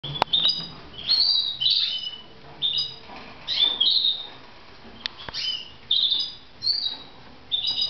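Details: Kept red mosaic canaries in Moudania: short, bright chirped and warbled phrases come in bursts about every second, with brief gaps and a few sharp clicks.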